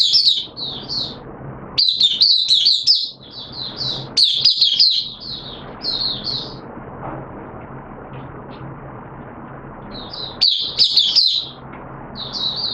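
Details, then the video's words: Oriental white-eye, known locally as mata puteh, a caged hobby bird in wet weather; bursts of high twittering song alternate with long stretches of low background noise and no birdsong. "Mata Puteh T Rex Buka Sing"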